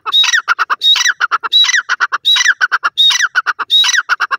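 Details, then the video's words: Black francolin (tetar) calling loudly and harshly: each phrase opens with a grating, buzzy note and breaks into a quick run of short clipped notes, repeated about every 0.7 seconds without pause. "tetar awaz, teetar bird, black francolin voice"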